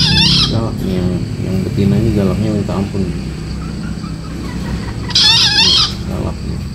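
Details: Young green junglefowl, four months old, crowing twice: a hoarse burst at the start and another harsh, wavering crow near the end, with low murmuring and rumble in between.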